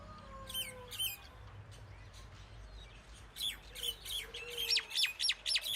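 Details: Common myna uttering a few falling chirps, then after a quiet gap an accelerating burst of sharp, high descending notes that crowd together toward the end.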